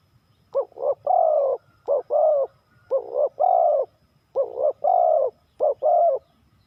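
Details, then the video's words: Spotted dove from Ninh Thuận, Vietnam, cooing in the three-coo hanging style: paired short notes followed by a fuller, slightly wavering long coo, the phrase repeated four times at an even pace. "เสียงนกเขาใหญ่ 3กุกห้อย เรียกลงกุก2กุก"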